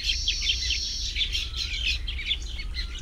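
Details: Short, quick chirps repeated several times a second from nesting Baya weavers in a tropical habitat, some notes sharper and brighter, against a background of low rumbling noise.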